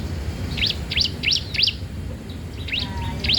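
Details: Energetic young bar-winged prinia, whose song serves to train or lure untrained birds: crisp, high upswept chirps repeated about three per second in short runs, a brief gap, then more, over low background noise.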